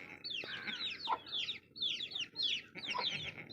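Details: Fewer baby chicks and closer: loud, full chirps sweep down in pitch, coming in uneven clusters about once a second.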